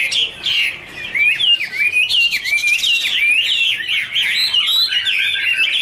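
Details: Warbling song of Chinese hwamei (Garrulax canorus) singing in duet while dancing: clear rising and falling whistled phrases, smooth looping slurs linked into a steady, varied stream, with a few rougher chattering notes at the start.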